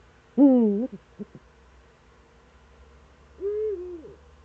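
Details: Eurasian eagle-owl in the Eifel, 26 September 2013, early morning: a strong, rich, falling call, a few short knocks, then a smooth level hoot that droops at the end.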